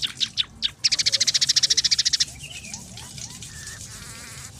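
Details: Emprit peking, the scaly-breasted munia, singing a training song mixed with sparrow, red siskin and canary phrases: a few separate chirps, then a long, even, rapid high trill, followed by quieter twittering and upward-sweeping slurs.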